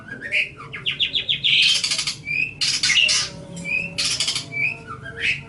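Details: Master song of a long-tailed shrike for training other birds, opening with a climbing series of short notes, then loud harsh rasping bursts mixed with thin rising whistles.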